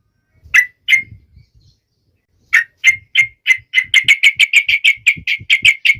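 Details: A trucuk, or yellow-vented bulbul, singing with sharp emotion to make other trucuk birds sing: two isolated chirps, a pause, then an accelerating series of roughly eighteen bright clipped notes, with faint low tapping noises.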